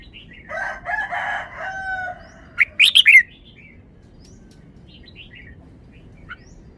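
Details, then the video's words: Caged red-whiskered bulbul showing off its song phrasing in a loud, far-carrying forest style. A drawn-out harmonic, crow-like sound comes first, then four sharp, bright, rising whistled notes in quick succession. The rest is quiet, with a faint late note. "นกกรงหัวจุก 1038 จ้าวมาดี สำนวนดี"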